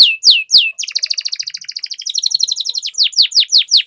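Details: Canary performing a long roll, offered as lure song for other canaries: two loud downslurred whistles, then a fast, even, bubbling trill lasting about two seconds, closing with repeated sweeping notes.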